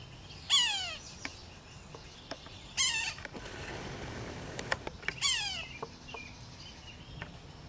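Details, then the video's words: Yellow-bellied Sapsucker nestlings, fed by the male, at a nest west of Moose Jaw, south-central Saskatchewan, on 19 June 2018: three harsh, raspy bursts falling in pitch about two seconds apart, with scattered light taps and clicks. "male yellow-bellied sapsucker feeding young"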